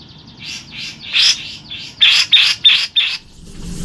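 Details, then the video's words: Long rolling call of a local grey-cheeked bulbul, used as a lure for competition songbirds; a series of harsh, buzzy repeated notes, roughly three per second, with faint background noise. "TEMBAKAN JENGGOT LOKAL NGEROL PANJANG AMPUH BUAT PANCINGAN"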